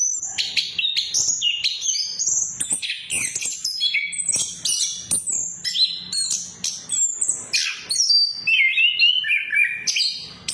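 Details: Orange-headed thrush singing as a lure for birds that have stopped singing: dense, fast medley of high sharp chirps, trills and twittering notes, ending in lower slurred whistled phrases, with a faint low hum beneath.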